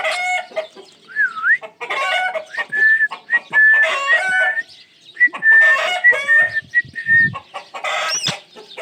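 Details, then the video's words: Pet ringneck parrot mixing a wavering whistle and harsh squawks with a string of short, level whistled notes repeated about twice a second. "amazing sounds of my Ringneck parrot"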